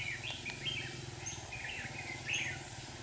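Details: A red-whiskered bulbul used as a decoy at a trap in Hòa Bình, Vietnam, sings short whistled, warbling notes in scattered bursts over a steady low hum.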